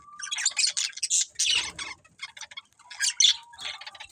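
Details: Breeding pair of budgerigars uttering quick, buzzy high chirps in short bursts, with a thin steady whistle line running beneath.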